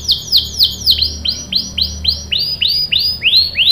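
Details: Energetic canary singing lure song meant to get other canaries to answer and roll: repeated arching whistled notes that rise then fall, delivered in an uneven, bouncing rhythm.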